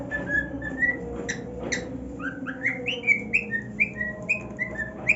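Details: Pet cockatiel, a male happy on his new nest, whistles a run of short notes, rising then level, about two per second, with a soft background hum.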